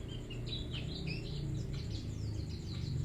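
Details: White-eye, a bustomi type, singing vigorously: quick high thin twittering notes and short slurred whistles scattered through the clip, over a constant loud low hum.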